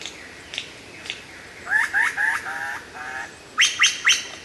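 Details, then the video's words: Lyrebird song, very clear and loud; a series of slurred whistled notes falling then rising, two steady paired tones, then three quick bright rising notes near the end. "suara burung lyrebird gacor buat masteran"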